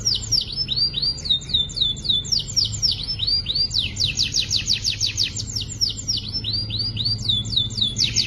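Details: Young canaries' song from a training compilation: fast series of sweeping, rising whistled notes, then a rapid dense rattle-like trill and more looping phrases, high-pitched and continuous, with a faint low hum beneath.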